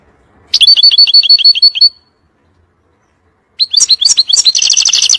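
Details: European goldfinch singing a fiery 'nar' song meant for teaching young birds: a quick run of repeated bright, tinkling twittered notes, a pause, then a denser burst of chattering twitters ending in a rapid buzzy trill.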